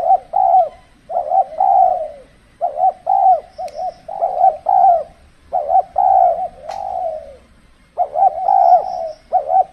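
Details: Spotted dove used as a decoy for trapping in the cold, extreme season, when birds are less aggressive; low, mellow coos in rapid double-note phrases, repeated with short pauses, and a faint high chirp from another bird.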